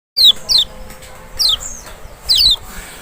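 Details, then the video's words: Lemon-bellied white-eye, the Kecial of Lombok or Sumbawa, played as a special lure sound meant to make a reluctant bird respond: four sharp, high, downward-slurred notes in two quick pairs, clean against a quiet background. "panciangan sepesial Kecial malas bunyi nggak mungkin nggak respon"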